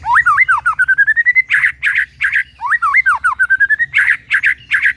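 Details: White-rumped shama: a phrase of rising, looping whistles climbing into a steady whistled run, followed by three burry notes, repeated twice.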